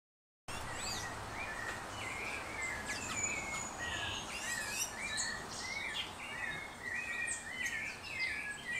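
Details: Ecuadorian thrush near Mindo, Ecuador: short clear slurred whistled notes and rising phrases, repeated irregularly over a busy forest background of other chirping birds and insect hiss.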